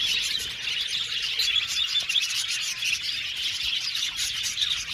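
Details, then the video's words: Numerous budgies twitter at once, producing a thick, shimmering layer of high chirps and warbles that runs evenly from start to finish. "Beautiful budgies chirping sound"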